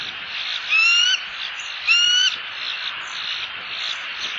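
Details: Bald eagles, a pair in Southwest Florida, exchanging calls off-camera at the nest on 1 October 2015: two smooth, thin whistles, each gently rising, a second apart, with a constant insect drone behind.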